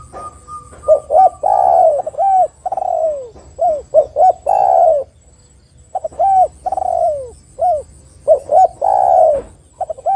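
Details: Spotted dove cooing vigorously in a lure recording to provoke other doves: repeated sequences of short hoots building to long downward-sliding coos, about five phrases over ten seconds, with a steady high-pitched electronic hum.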